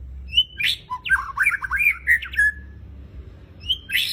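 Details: White-rumped shama delivering a loud, harsh phrase of squawky, slurred notes that tumble rapidly through varied pitches, then a short pause and a sharp high note starting again; low background hum throughout.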